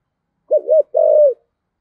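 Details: One spotted dove phrase in the thổ voice style, meant to prompt wild-caught doves to answer: a short warbling double coo followed by a longer, even, slightly falling coo, clean and close with no other sounds.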